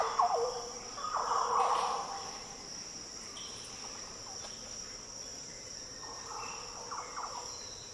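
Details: Green Oriole in the Daintree rainforest of tropical northern Australia, giving deep, liquid, fluty warbled phrases at the start, again around one to two seconds and near six seconds, over a steady high insect drone.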